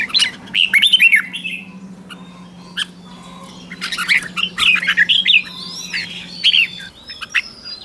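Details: Red-whiskered bulbul in morning training for contest singing, giving scattered warbled and squawky phrases among other bird calls, with a steady low hum in the background.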